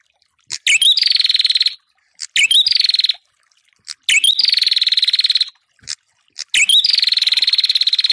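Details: Ashy tailorbird calling to provoke rivals: four bursts of harsh, fast-pulsed buzzing trills, each starting with a quick rising chirp, spaced by short silent gaps.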